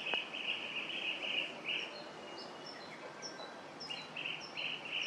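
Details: Chestnut-headed bee-eater calling: rolling, buzzy trilled notes in short bursts, loud at the start and again near the end, with thin high chirps from other birds over steady background hiss.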